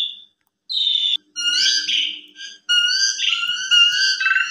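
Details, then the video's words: Asian pied starling song used as an afternoon lure for young birds: a short whistle, then buzzy, wavering phrases and steady whistled tones, with a faint low hum partway through. "Pancingan Sore Paling Ampuh !! Jalak Suren Bongkar Isian Cocok Buat Masteran Jalak Suren Masih Muda"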